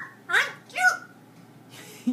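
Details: Pet parrot indoors, talking to the household dogs and saying it is cute: two short voiced, speech-like syllables with a rising then falling glide, followed by a quiet pause and a faint breathy sound.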